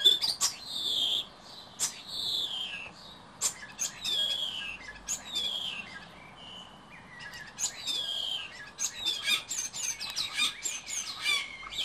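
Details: A male common starling at a nest box on a balcony in Berlin sings a rambling courtship medley for attention: long, drooping whistles mixed with clicks, rattles and squeaky notes, growing busier toward the end.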